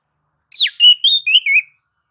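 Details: White-rumped shama song in nagan and ngobra style, played to provoke other shamas to sing: a steep falling whistle followed by four short, clear whistled notes in a brief, evenly spaced phrase.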